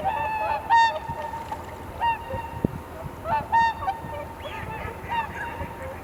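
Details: Swans at dawn during the blue hour on Kotoku marsh, Japan, winter flock calling in darkness, recorded with a camera's built-in mic: loud nasal honking 'koo-koo' calls, several overlapping, roughly every one to two seconds over steady background hiss.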